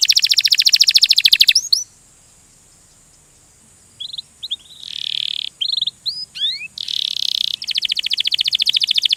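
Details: Canary in rolling (ngerol) song: loud, rapid high buzzy trills of even pulses, then a pause, then short upswept whistled notes and bursts of trilling that resume into a long fast rolling run.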